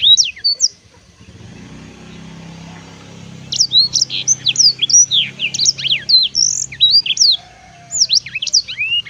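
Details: Black-throated canary gives a short burst of song, then after a pause with low rumbling background noise, a long run of rapid high whistled slurs and chirps.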